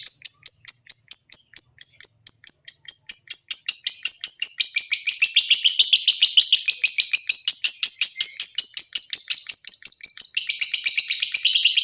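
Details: Lovebird performing the long ngekek chatter used as a lure to get lovebirds singing: rapid, high, scratchy notes that speed up into a continuous trill for over ten seconds, becoming denser and buzzier at the end.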